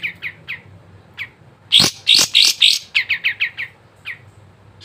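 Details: Sooty-headed bulbul song for stirring reluctant caged birds to sing: a few soft spaced chips, then loud harsh bursts and a quick series of bright descending notes.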